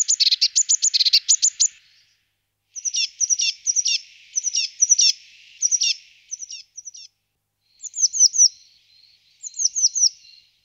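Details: Eurasian blue tit giving a fast trill of high notes, then repeated phrases of sharp downslurred notes in small groups, with short pauses between phrases.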